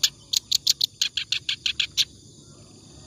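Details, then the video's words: Short phrase of ngacor song from a clamorous reed warbler, offered as tutor material for other birds: about a dozen harsh grating notes in quick series, then near silence. "BURUNG KERAK BASI NGACOR COCOK BUAT MASTERAN"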